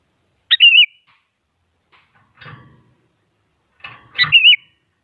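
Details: Sooty-headed bulbul song used to goad a rival into singing: two short fluty, warbling phrases about three seconds apart, separated by soft low rustling noises.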